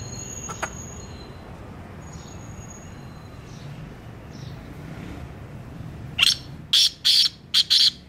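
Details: Black francolin, locally called kala teetar, calling: after a stretch of low hum and faint distant chirps, a loud rhythmic series of four harsh, grating notes in quick succession.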